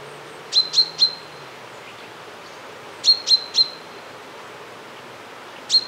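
A common chaffinch gives sharp, metallic 'pink' notes in quick bursts of three, with a pause of about two seconds between bursts, over a faint low background hum.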